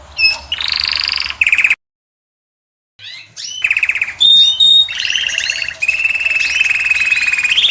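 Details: European goldfinch, described as Moroccan, singing to win a female: buzzy trill, a break, then scattered high notes, a thin whistle and long rolling trills at even pitch.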